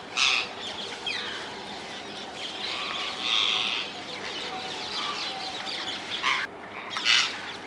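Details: Wild rose-ringed parakeets in the Netherlands: harsh, screeching high calls come in bursts, loudest at the start and near the end, over a continuous chatter of other birds.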